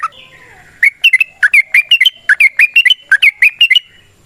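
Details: Rapid, lively yellow-vented bulbul fighting song, a long 'ropel' for luring other bulbuls into answering. A soft downslurred whistle leads into a quick, chattering series of bright bubbly note pairs, roughly four per second.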